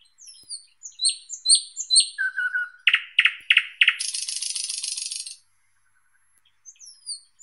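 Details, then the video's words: Thrush nightingale singing: high thin downslurred whistles, then a row of loud clicking notes and a long dry rattling trill, a brief pause, then more high whistles. "Голоса птиц Как поёт Соловей обыкновенный (Luscinia luscinia)"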